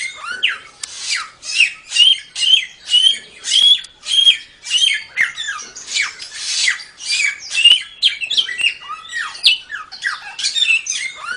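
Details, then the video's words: Samyong bird in full song, a training recording for songbirds: a continuous run of about twenty harsh chattering squawks with piercing whistled accents, evenly repeated, energetic and high-pitched. "Suara Burung Samyong | Gacor 6"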